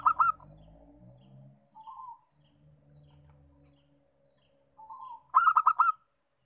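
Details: Local zebra dove: a short coo burst, quiet soft notes and a faint low rumble, then a mellow lead-in coo followed by a loud run of about six rapid, rolling notes.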